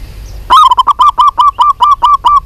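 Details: A female zebra dove of a local strain, calling to a male: a quick run of about ten short, clipped hooting notes at an even mid pitch, delivered steadily after a brief pause, with little else heard.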